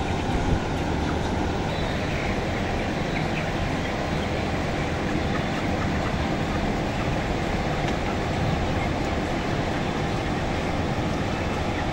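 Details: Loud, steady broadband roar of ventilation machinery inside a closed poultry house, with no clear animal calls standing out.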